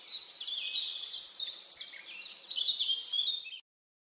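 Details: Captive long-tailed finch (Poephila acuticauda) gives thin, high, whistled notes, about three a second, with sliding and stepping pitch over a faint background hiss.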